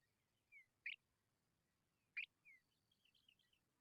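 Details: Hungry Tawny pipit young calling for food: two sharp high chirps, each trailed by a soft downslurred whistle, ending in a quick twittering series of thin notes.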